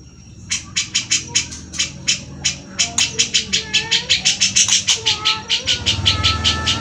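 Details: Grey-cheeked bulbul giving besetan, a rapid harsh rattling call used to tutor fighter cage birds such as magpie-robins and leafbirds. Fast series of sharp, buzzy, scratchy bursts, roughly three per second, with faint whistled notes below and a low hum.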